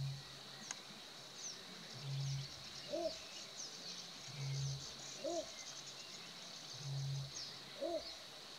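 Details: Deep single croaks of a little bittern, evenly spaced about every two and a half seconds, interleaved with higher upslurred double notes from another caller over a steady high-pitched insect drone.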